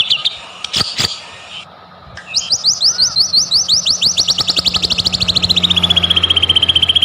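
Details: Lure recording of a white-rumped shama used to make caged birds sing: scattered clicks and a short whistle, then a quick series of looping up-slurred notes that settle into a steady, rapid chatter.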